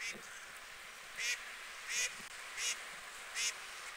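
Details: Four loud, hoarse honks from white geese, UK water birds, evenly repeated about every three-quarters of a second against a low constant hiss.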